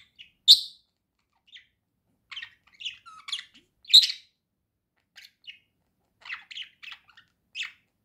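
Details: Singing pet budgerigar producing scattered sharp chirps and short scratchy phrases, with two loud squeaky notes standing out among quieter twittering.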